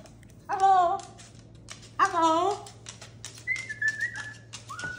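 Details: Pet cockatoo at home, laughing and playing, gives two throaty, harmonic laugh-like squawks, then a string of clear whistled notes that step up and down, while people greet it.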